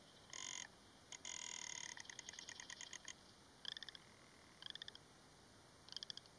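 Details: Rock ptarmigan song: harsh, croaking rattles, first in two longer grating bursts, then a run of quick clicking pulses, then three short spaced rattling bursts about one second apart, over a quiet background.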